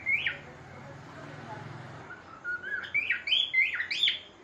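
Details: Singing pet cockatiel giving a sharp swooping whistle, then a pause with a low hum and faint voice in the room, before a fresh burst of rising, warbling whistled phrases at the end.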